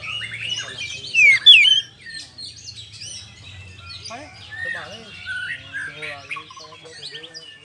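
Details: Oriental magpie-robin lively 'ngeplong'-style song, used as a lure to provoke other birds into fighting: a loud burst of sharp varied whistles in the first two seconds, then a steady stream of quieter chattering, warbled phrases over a low hum.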